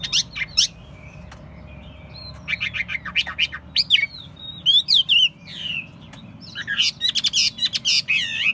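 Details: Caged Chinese hwamei kept for singing and fighting contests, singing in bursts: sharp high chips and rising whistled slurs, with short pauses between phrases and a low hum beneath.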